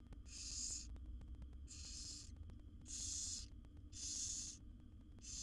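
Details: Nestling barn owls, seven wild young in a monitored box while their mother feeds them, produce loud rasping hisses repeated roughly every second and a quarter over a constant low hum.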